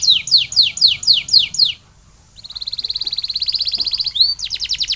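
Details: Canary recovering from molt sings seven evenly spaced descending sweeps, pauses, then a long accelerating rolling trill and a final rapid burst.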